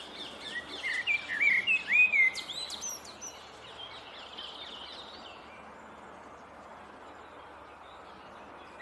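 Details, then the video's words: Male Eurasian blackbird preening on a branch near the Speke obelisk, pausing to sing a phrase: about three seconds of warbled mid-pitched notes with high twittering flourishes, then only steady broadband background noise. "Blackbird preening and singing"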